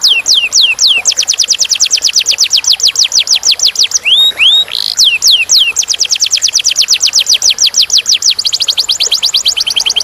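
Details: Canary song, clear and high: long series of rapid downward-slurred whistles, a short pause with a couple of rising notes, then the sweeping series resumes at a fast pace.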